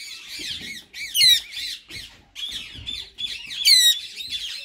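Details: A white male ringneck parakeet and a green companion chattering in talking mode: rolling, wavering syllables in steady runs, with two sudden loud, grating squawks standing out.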